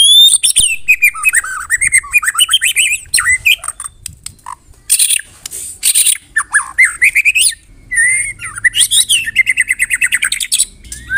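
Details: Medan white-rumped shama singing in the morning, a rattling, screeching kretekan style with dense bursts: sweeping whistled phrases, harsh buzzy squawks and fast staccato trills, continuous and very loud.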